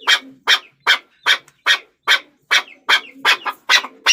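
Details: Steady, regular chuk-chuk calling of a Chukar partridge, rough broadband notes at an even pace, quickening into doubled notes near the end.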